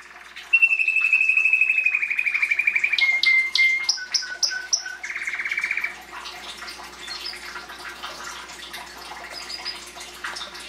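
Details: Canary singing: a long steady whistled note sliding slightly downward, then fast repeated chips, a low buzzy trill and a rapid rattling roll, followed by softer, quieter twittering and chirps.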